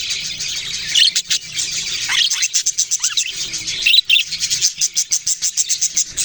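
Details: Several budgerigars chirping: busy high twitter with a few descending squeaks, then a run of quick, evenly spaced chirps in the last two seconds.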